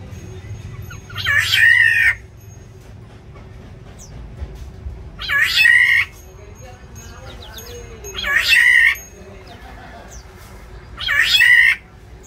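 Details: Black-naped orioles battling over territory inside an aviary; four loud, harsh, nasal, cat-like squawks, each about a second long, repeat every three to four seconds over quiet background noise.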